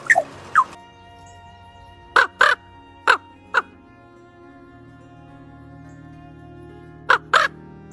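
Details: A rescued, flightless common raven, who uses a special greeting call for people he knows and a different call for people he dislikes, gives short, harsh croaks, mostly in quick pairs, spaced a second or more apart over steady background music.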